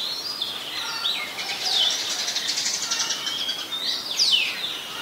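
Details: In Ubon Ratchathani, Thailand, an Oriental magpie-robin sings on 26 December 2020: long drawn whistles and a burst of rapid buzzy trilled notes, ending with sharp descending slurred whistles; light background noise.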